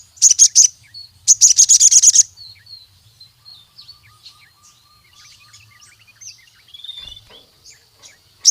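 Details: ['Sogon (Crimson sunbird) in energetic song to summon rivals: two rapid bursts of high, buzzy trilled notes, then quieter scattered thin twitters and a faint steady tonal hum in the background.']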